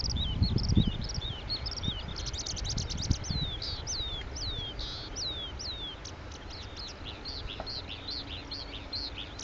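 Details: Male Oriental skylark singing from a perch, Petchaburi, Thailand, digiscoping recording; opens with a rapid buzzy rattle, then clear, high, swooping slurred notes several per second, followed by varied twittering, over low handling-like rumbles.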